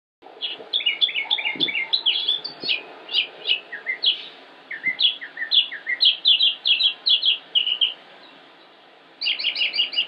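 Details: Northern mockingbird (Mimus polyglottos), a male singing on and on with ever-changing phrases, Concord, North Carolina, United States, 25 May 2016: rapid bursts of chirpy high notes in varied groups, each repeated several times, then a brief pause and a new phrase.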